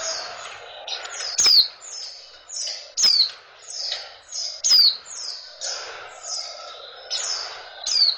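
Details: Female oriental white-eye calling to stimulate males into breeding condition; thin high descending whistled notes, each sliding down sharply, repeated steadily about every second, with brief louder downslurred calls and a soft background hiss.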